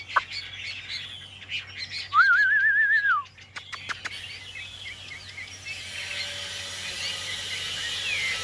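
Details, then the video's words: A captive Chinese hwamei gives a loud, rippling phrase of rapid wavering whistles lasting about a second, followed by softer chirps and clicks amid background hum. "Em họa mi bên phải clip"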